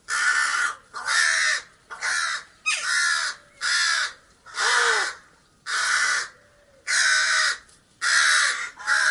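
Harsh, raspy caws from a crow or raven, about one per second in an uneven series of nine or ten calls, with no other sounds.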